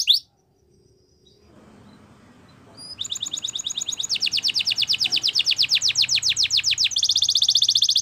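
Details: After nearly three seconds of near silence, a Belgian canary bursts into song with rhythmic repeated chips, a quickening even trill, then a bright high rolling phrase.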